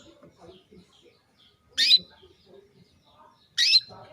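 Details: Female canary calling to a male to stir breeding urge; two loud harsh downward-sweeping chirps almost two seconds apart, set against scattered faint low chatter and clicks.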